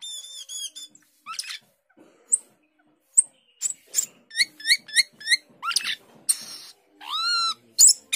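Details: Asian glossy starling (cucak keling) in nonstop 'gacor teler' singing, a species noted as a skilled mimic of other birds. It gives a varied run of high whistles, clipped chirps and rising slurred notes, several repeated in quick series, with short pauses between.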